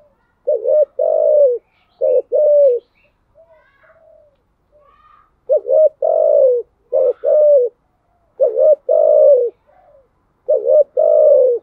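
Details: Spotted dove singing the THÚC GÙ style, low mellow coos in pairs, a quick upturned note followed by a drawn-out gently falling coo, repeated about five times with brief quiet gaps and faint murmurs between.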